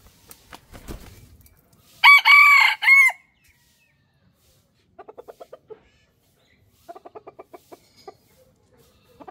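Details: Rooster crowing loud and close in three linked, strongly harmonic segments lasting about a second. It is preceded by soft rustling and followed by two quiet runs of rapid clucks.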